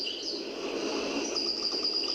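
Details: Old cassette recording of an improvising European goldfinch, a mimic imitating other birds; sustained high twittering with a thin drawn-out whistle and soft repeated clicks, backed by tape hiss.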